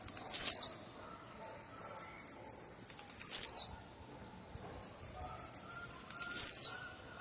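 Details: Blue-black grassquit repeating its song about every three seconds. Each loud, buzzy, downward-slurred note is followed by a steady train of thin, high ticking notes, and the pattern cycles three times.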